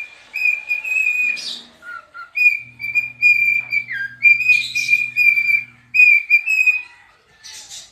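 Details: Dancing pet cockatiel singing: a run of long, steady whistled phrases, short low notes, one whistle sliding downward, and scratchy bursts between phrases, over a faint low hum.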